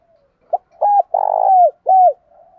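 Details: Decoy spotted dove calling loudly and clearly to lure wild doves. A soft lead-in, a sharp tap note, a short coo, a long pulsing coo falling at its end and a final sliding coo, with faint quiet coos around them.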